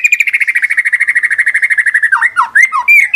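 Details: White-rumped shama song used to provoke shamas into singing: a rapid even trill of about twelve notes a second, then looping, swooping whistles and short scratchy notes.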